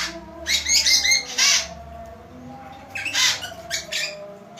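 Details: Bird praised as a lively singer; loud harsh, buzzy high bursts of chattering notes in two clusters, each about a second long, separated by quieter pauses over a faint background hum.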